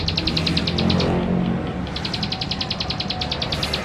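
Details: Lure recording from West Java of a singing male Plain Prinia, captured with a Canon camera to provoke rival birds: quick runs of sharp, high pulsed notes in two bursts around a brief gap, with a steady low hum and distant traffic-like rumble underneath.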